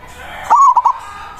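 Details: Manggung song of a local zebra dove, a strong-voiced lure bird for calling rivals: one short phrase with a sustained coo and two quick pulsed notes, over faint background hiss.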